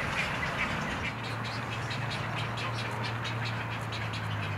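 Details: Juvenile egrets and fledglings at a breeding rookery in Pennsylvania, trees full of nesting birds raising young; a dense overlapping chorus of harsh, rasping squawks and croaks from many birds, over a steady low engine-like hum.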